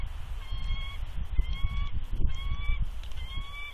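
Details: Female bald eagle at her Big Bear nest, dated 3.2.20, gives warning vocals as an unfamiliar adult eagle perches above while she incubates eggs: four short, clear, slightly rising whistled notes at a steady pace, with wind rumble beneath.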